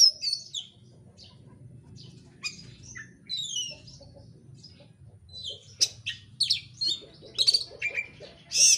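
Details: Oriental magpie-robin song meant to provoke another bird into singing: varied high whistles and buzzy slurs, quieter in the middle, then a dense run of sharp chips and rasping notes toward the end.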